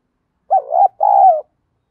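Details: Single spotted dove phrase of a fight-provoking lure song, field-voice style: a short bubbling coo swelling upward, a brief gap, then a sustained even coo fading out, clean and quiet around it.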